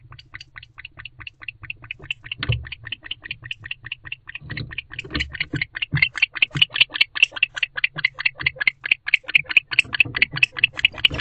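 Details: Inside an owl house at night in late October, a male barn owl calls to summon the female, with whom he is bonded. Rapid rasping chirrups start softly and swell louder, with several dull thumps in between.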